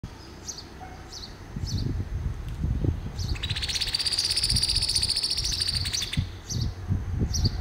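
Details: Shiny Cowbird song in the Brazilian Cerrado: sharp high chips about every half second, then a three-second burst of liquid, bubbling high notes, over steady low wind rumble.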